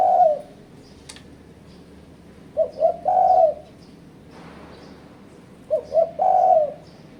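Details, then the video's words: Spotted dove call as a rival-challenging lure: repeated phrases of two short coos and a longer coo, about three phrases with quiet gaps and a faint click and hiss between. "Suara Burung Terkuku Menekan Lawan Ampuh untuk Pancingan"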